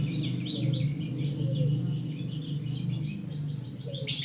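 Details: Mountain mantenan bird calling to companions: two sharp, high falling whistles about two seconds apart over a continuous low rumbling background noise.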